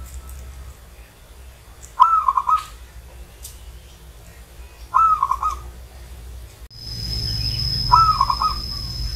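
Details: Old zebra dove from Banyumas repeating its purring, stuttered coo phrase three times, about every three seconds, each a quick chain of soft notes; low rumble and a thin high electronic whine in the background.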